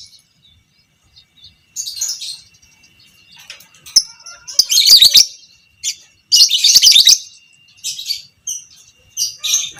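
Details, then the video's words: Long chattering song of a violet Pb creamino fighter lovebird, used to teach other lovebirds: soft chips building into loud harsh chatter bursts lasting about a second, separated by brief pauses, with a faint steady whine. "Masteran Burung Lovebird Fighter Ngekek panjang - Suara Burung lovebird biola pb creamino"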